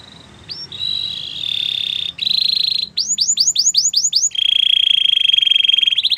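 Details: Belgian canary song mixing sustained trilled rolls with a burst of quick descending whistled sweeps, then a long steady metallic trill, brief pauses between phrases.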